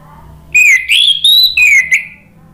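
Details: Orange-headed thrush, a caged bird, used as a lure to prompt other birds to sing: loud whistled phrase of slurred notes rising and falling around the upper-middle range, in several joined bursts, then quiet room hum.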